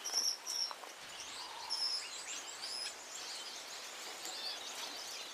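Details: Gouldian finch song: short, thin, high whistled notes and faint chirps scattered over a steady hiss, with brighter tones near the start and again around the second second.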